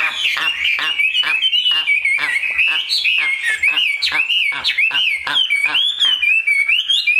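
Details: Chinese hwamei, a cage bird from the northwestern mountains, singing loud looping whistles that rise and dip in quick succession, each phrase punctuated by clicking notes.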